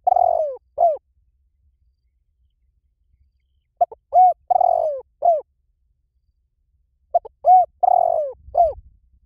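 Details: Lure call of a Spotted dove for attracting wild doves. Three repeated phrases roughly every three and a half seconds: a short clipped note, a smooth coo, a long hoarse downward-sliding coo and a falling end note. A faint low rumble follows.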